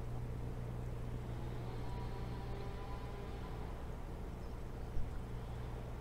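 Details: Steady low engine rumble and hum fill the recording, with one short click near the end and no animal voice.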